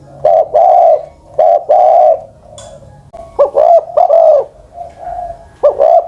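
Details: Old spotted dove over ten years of age, kept as a ground decoy bird, giving low mellow cooing phrases: a short stuttered lead-in followed by a longer rolling coo, repeated several times with brief pauses.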